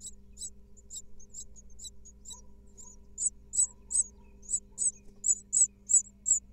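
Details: Nestling great tits from a second clutch of five eggs in an Israeli nest box, 2022, begging as the female brings food: soft, sparse high squeaks swelling into loud, rapid hissing bursts in the second half, over faint hum.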